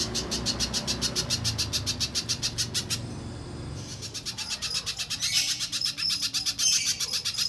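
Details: Little spiderhunter song played to get untamed birds calling: rapid repeated high chips pour out steadily, pause for about a second, then resume in a denser, louder stream over low background rumble.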